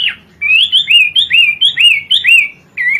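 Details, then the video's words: Bright Hwamei song, kowor-kowor style: paired wavering whistles repeated in quick succession, sweet and liquid, after a brief opening note. "Burung wambie gacor kowor kowor"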